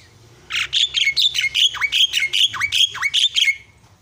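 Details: Chattering myna voice meant to provoke a silent bird: about three seconds of loud, harsh, rapidly repeated notes, many ending in sharp downward swoops, with nothing else clearly heard.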